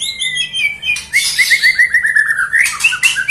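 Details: White-rumped shama singing a rich, rapid run of whistled notes, a fast series of rising and falling phrases repeated about four times a second, interspersed with harsh buzzy bursts.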